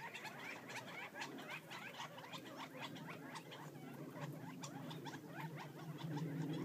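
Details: A flock of wild Gambel's quail feeding outside Florence, Arizona keeps up a steady, overlapping chatter of short, soft chips and clucks, about four a second, over a low background rumble.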